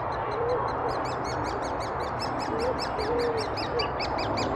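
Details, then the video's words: Great spotted woodpeckers at Thurrock woods on 20 May 2014, adults feeding their chicks, recorded with a Finepix HS50EXR; a steady, rapid series of high, pulsed ticking notes runs throughout over a constant background hum. "great spotted woodpeckers feeding there chicks"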